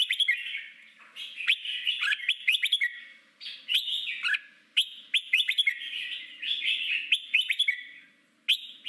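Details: Red-whiskered bulbul in forest-voice song, used as daily training for newly caught birds to compete: energetic, chattering whistled phrases repeating every second or so, with a few brief pauses between bursts.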